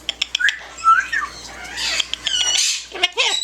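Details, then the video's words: Indoor yellow-naped amazon kept as a pet, giving harsh squawks with sliding whistled notes and clicks, several short bursts within a few seconds, with a person speaking briefly. "SINGING AND TALKING FUNNY PARROT"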